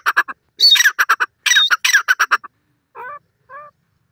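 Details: Dakhni teetar, a francolin, giving a loud burst of harsh, squawking notes in quick succession over about two and a half seconds, then two softer, separate nasal notes after a pause.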